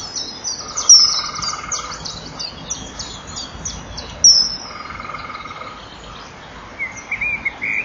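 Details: A male common kingfisher flies past its nest burrow at 18:06 on 21 April 2012, calling after the female has gone inside: shrill, piercing high whistles a few seconds apart over a faint steady hum.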